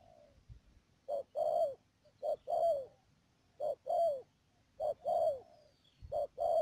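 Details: Decoy spotted dove kept for trapping at Mương Điều, Đầm Dơi, Cà Mau, on 12 March 2019, calls in clean repeated pairs: a short coo then a longer downslurred one, about every 1.3 seconds, over a faint high whine.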